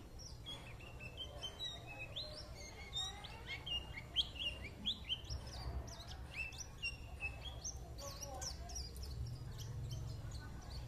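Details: White-eye in full chatter: rapid, high, sweet twittering with sliding and up-flicked notes, irregular and nearly continuous, with a faint low background hum.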